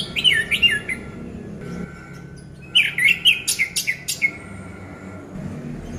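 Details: Orange-headed thrush song used to coax a quiet kept bird into singing: two bursts of rapid, sweeping whistled notes separated by about a second of near-silence, with a steady low hum beneath.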